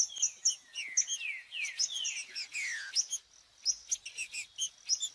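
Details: Green-winged saltator song, played to stimulate a captive bird to sing. Busy run of bright chirps and descending slurred whistles, one after another with short pauses, in a steady lively rhythm.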